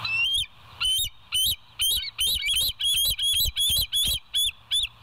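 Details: Bald eagle at the West End nest on a live nature cam, 29 August 2023 around 7:03: a fast run of about a dozen sharp, high whistled notes, each with a brief upward flick, over a steady low electrical hum.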